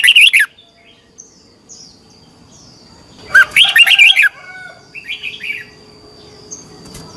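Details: Red-whiskered bulbul competition singing for bird training: a short opening burst, then a louder phrase of rolling, slurred whistles near the middle, followed by softer warbled notes.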